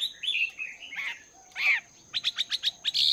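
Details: Chinese hwamei kept two months in a cage, practising its song in the morning: slurred whistles and a harsh burst, followed by a quick string of about six sharp repeated notes.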